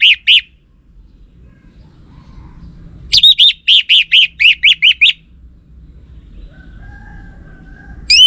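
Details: Orange-headed thrush kept caged in Singaraja, Bali, singing a lure song meant to provoke males to reply. Two brief notes open, then a steady run of about ten rhythmic, slurred whistled notes after a pause, and a final clear whistle.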